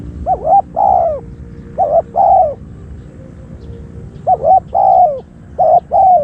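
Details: Spotted dove used for decoying wild doves coos repeatedly, paired short and longer bowed notes in three quick bursts, clear over quiet low background hum.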